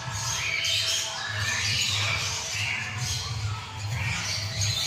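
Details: Citron-crested cockatoo, a male, squawking while playing: drawn-out, grating, broadband screeches that run into one another, with a constant low droning hum underneath.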